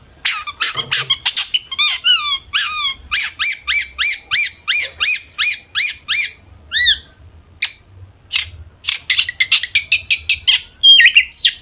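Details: Energetic long-tailed shrike song meant to make other shrikes reply: a long, steady series of sharp, partly down-slurred notes at about three per second, then sparser scattered notes and a few twisting whistles.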